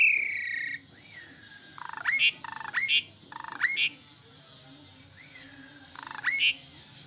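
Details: Asian pied starling song: loud upslurred whistles and harsh buzzy bursts in short phrases, several repeated over the clip, over steady background hiss.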